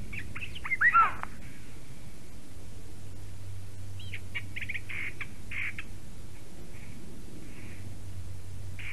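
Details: A Eurasian jay at a black stork nest in Latvia, morning of 11 April 2019, opens with a loud, harsh, slurred note, then a series of quieter chattering and mewing sounds, over faint low hum.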